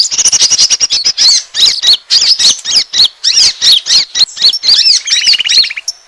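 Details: Asian glossy starling lure call meant to draw in birds, with fast, ticking high squeaks, then looping whistled slurs, and near the end a short buzzy, evenly pulsed trill beneath the chatter.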